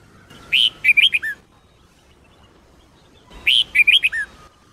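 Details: Song of a Sông Kôn red-whiskered bulbul played for training caged birds: two short phrases of bright, looping whistles, each about one second long, with a pause between and a faint steady tone in the background.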